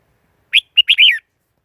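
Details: One short, clean phrase from a Red-whiskered bulbul lure bird used in trapping wild birds: a sharp whistle, a quick chip, then a rolling, slurred double note ending lower.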